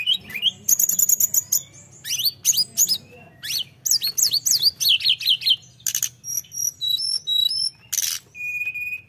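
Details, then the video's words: Energetic tledekan song to provoke rivals. Buzzy bursts alternate with clusters of sharp falling whistles and quick chips, and the song ends on a steady, level whistle. "Kicau Burung tledekan full gacor ‼️merangsang emosi Lawan"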